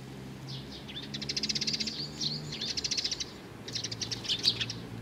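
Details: Sparrows come to be fed on 15 May 2019, with rapid, buzzy chattering bursts of evenly spaced pulses, about a second each, repeated three times over a low hum.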